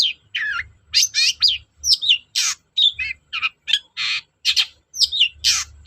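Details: Long-tailed shrike in lively full song, used as a lure for shrikes that are slow to sing: rapid mix of scratchy buzzes, squawks and twisting whistled notes in quick, irregular bursts.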